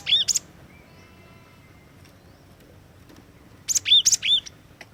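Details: Energetic cinereous tit (gelatik batu) used as a lure bird: short phrases of sharp, high whistled notes, a quick repeated pair at the start and a run of three bright downslurred whistles near the end, over low steady background hum.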